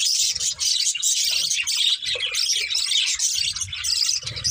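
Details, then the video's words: A steady stream of high, twittering chatter from colourful budgerigars, a breeding pair within a budgie family, with layered squeaks and chirps that never let up. "Colourful Budgies Chirping Sounds"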